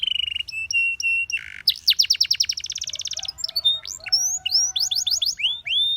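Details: Canary singing a training song for young canaries: steady repeated whistled notes, a short buzzy burst, a rapid loud trill, then a string of bright rising and falling whistles with a few lower tones.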